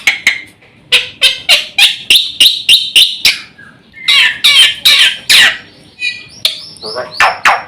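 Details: Javan white starling master recording used to provoke other birds into singing, full of varied phrases: a run of loud harsh chirps about three per second, then buzzy squawking notes and rising whistles.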